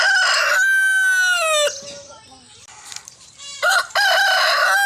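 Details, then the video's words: A desi rooster in India crows loudly, a harsh, drawn-out cock-a-doodle-doo with rich harmonics, followed by a brief lull and then the start of another loud crow. "Rooster Crowing Compilation | Sound Of Roosters | मुर्गा की आवाज | Cock Sound Compilation Desi Murga"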